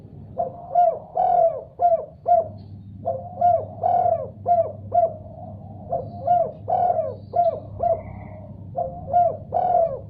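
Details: Spotted dove responding vigorously after hearing a sound, giving near-continuous throaty cooing: rhythmic runs of short and drawn-out coos, roughly two notes a second, in several unbroken phrases with a low hum behind.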